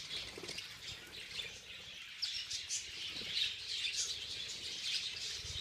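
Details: Budgerigars at a feeding frenzy give a steady stream of bright chirps and short squawks, layered thickly with soft wing flutters.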